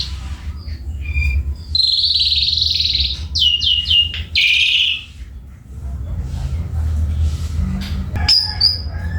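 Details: Kept Javan pied starling in Indonesia singing long sustained whistles and a quick series of rising slurred notes, then a harsher buzzy phrase, with pauses between bursts. Steady low rumble and faint voices run underneath.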